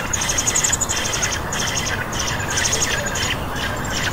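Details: Hungry baby birds begging for food: rapid, high, thin chirps repeated in short bursts over a steady broadband background hiss.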